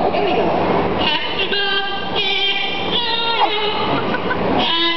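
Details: A parrot at Jurong Bird Park, Singapore, sings Happy Birthday in a nasal, voice-like tone, holding and sliding between notes for five seconds over a steady background hum.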